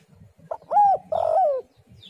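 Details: Spotted dove (tekukur) call played to lure other doves: a brief note, a level arched coo, then a longer wavering coo that falls at the end, clear with little background.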